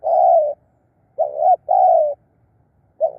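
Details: Clear mellow coos of a spotted dove used as a decoy to lure wild birds: long level notes and a short one, repeated, in an otherwise quiet setting.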